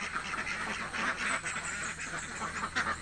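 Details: Village ducks quacking hungrily, a crowded flock giving harsh, nasal quacks that overlap into a continuous raucous clamour.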